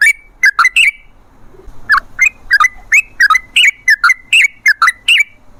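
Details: Sooty-headed bulbul in long ropel song used to coax other bulbuls into singing: clear, bouncy whistled notes, a quick triple at the start, then a steady sequence of separate slurred phrases about every third of a second.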